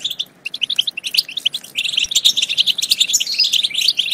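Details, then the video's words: Goldfinch song aimed at prompting goldfinches to sing and mate: crisp separated chirps at first, building into rapid tinkling twitters and short whistled slurs. "بتبتة تجنن الحسون وتفقده العقل بتبتات خرافية في تحفيز الحسون على التغريد بتبتة تخرج حسونك عن السيطرة"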